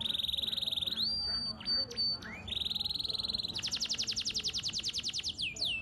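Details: Canary in rich, varied song kept to prompt other canaries to sing: long rapid rolling trills, short whistled slurs, then a fast series of repeated falling notes ending in a downward whistle.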